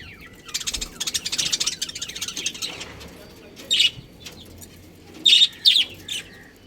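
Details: Budgerigars from a colony with a breeding pair give a buzzy, rapidly pulsed chatter early on, followed by a few short, loud, scratchy squawks spaced apart.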